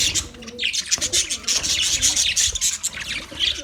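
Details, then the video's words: Budgies chirping together in a colony, a busy stream of bright twittering notes and high whistles, with faint lower warbles beneath. "Budgies chirping sounds"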